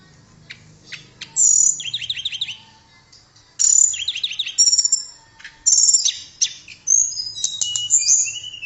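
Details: Tledekan (blue flycatcher) song for training other birds: phrases roughly every two seconds, each a high sharp whistle followed by a quick falling stutter of notes, ending in scattered high whistles.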